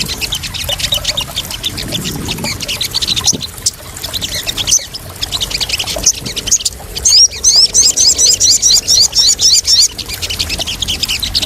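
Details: Crested jay lure and therapy sound for newly caught birds: dense high chattering at first, then a fast run of bright, sharply rising, repeated notes, about four per second, over a busy background of other high chirps.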